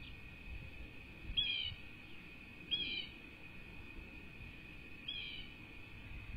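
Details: Pair of bald eagle chicks at a rebuilt nest on a ranch in Southwest Florida, USA, 5-2-24: three high, piercing, slurred chirps spaced over several seconds, over a steady whine and soft low rumble.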